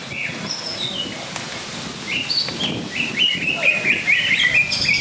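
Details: Greater green leafbird competing in a songbird contest at a bird arena in Cikeas: sharp, varied whistled phrases and chattering notes over crowd murmur and background voices.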